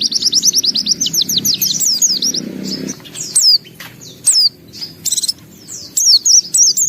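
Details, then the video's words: Pleci singing with open beak, gacor with isian: opens with a fast series of evenly repeated high chirps, then breaks into separate sharp downslurred notes and short bursts with brief gaps, over a low hum. "Suara Burung Pleci Gacor Buka Paruh Bongkar Isian"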